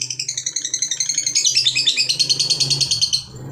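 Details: Lovebird fighter chattering its long ngekek song as a lure for other lovebirds: a fast pulsing high trill of squeaky notes for over three seconds, over a steady low background hum.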